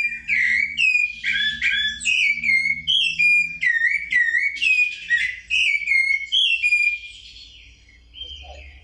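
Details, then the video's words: Rufous-bellied Thrush (sabiá-laranjeira) song: a fast string of clear, fluted whistled phrases, each rising and falling, about two a second, fading toward the end over a faint low hum. "Olha o gorjeio desse sabiá."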